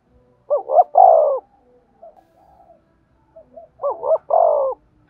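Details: Spotted dove calling to stir up and train decoy birds, with a short double-humped note then a long falling coo around 600–1000, repeated twice, soft quiet coos between phrases.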